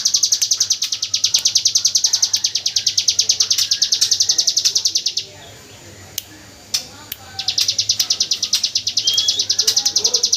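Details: Hill prinia in the 'AK47 gunfire' style, used as white-rumped shama training audio, fires off a long, fast, high rattle, falls silent for about two seconds amid a few clicks, then starts the rapid trill again.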